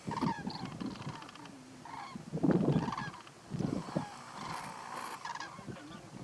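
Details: Common cranes, also called Eurasian cranes, at the Little Rann of Kutch, Gujarat, India, in January; several birds give loud, honking, trumpeting calls with rich overtones, overlapping one another over steady low background rumble.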